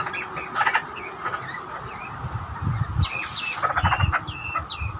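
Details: Australian butcherbirds, a youngster with an older bird at feeding time. Scattered soft chirps give way to a run of crisp repeated upslurred notes in the second half, with low rumble throughout.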